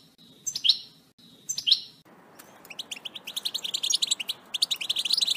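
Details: European goldfinch in batbata style, aimed at making a pet goldfinch sing strongly: two sharp rising call notes a second apart, then an accelerating burst of rapid liquid twittering.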